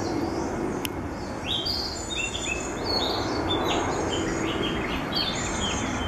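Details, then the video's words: Narcissus flycatcher at Lake Utonai, Hokkaido, on 11 July 2014, gives short clear whistled notes in quick varied high-pitched phrases, fairly faint over a steady rushing background like running water or wind. "キビタキ Narcissus Flycatcher"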